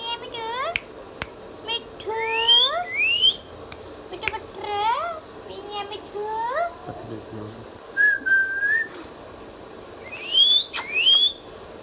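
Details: Pet ringneck parrot, an Indian green talking parrot, producing a run of rising whistled and squeaky syllables with speech-like inflections, a level whistle in the middle, then two sharp upswept whistles, indoors with low room noise.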